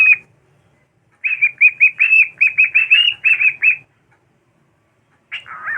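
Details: A pet cockatiel singing and dancing on a bed gives a quick run of bright, warbling whistles, then a short chattering phrase.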